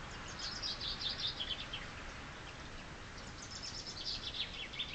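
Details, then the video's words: Chaffinch in spring song: two bursts of quick high chirping notes, each a rapid trill of sharp descending elements, over a light hiss of outdoor background noise. "Chaffinch singing spring's praise!"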